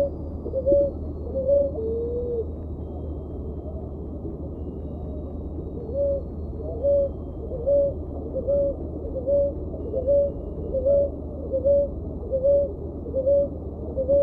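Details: Ruddy ground dove (Columbina talpacoti) singing: a steady series of short, soft, hollow coos, each rising then falling slightly, repeated a little under once per second, over a constant low hum.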